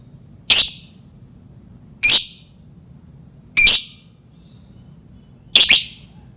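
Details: Lovebird sound used as a lure to provoke other lovebirds into singing: four sharp, high, shrill chirps spaced about one and a half seconds apart over a faint low hum.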